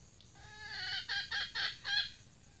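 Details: Captive female red junglefowl kept as a decoy opens with a thin, held nasal note, then breaks into four loud, rasping cackles in quick succession.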